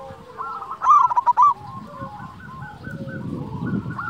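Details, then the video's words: Singing local Zebra Dove, loud and melodious, used to rouse silent or stressed doves: one loud half-second burst of rapid clipped coos, then fainter repeated cooing from surrounding doves and low background rumble. "Perkutut lokal gacor Suara Besar Merdu Cocok Untuk Pancingan Perkutut Malas Bunyi"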